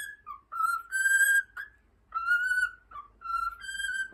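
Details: Cockatiel pet whistling Over the Rainbow, two quick phrases of short sliding notes leading into longer held whistles, clean tones with a quiet gap between phrases.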